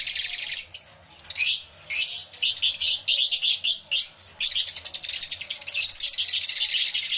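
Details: Numerous lovebirds in an aviary, recorded via a camera with two external microphones. Loud, harsh, high-pitched chattering comes in thick bursts, with a short lull after the first second.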